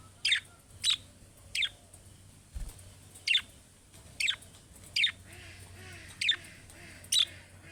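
Budgerigar giving sharp, high chirps, each a quick downward sweep, spaced about every half to one second.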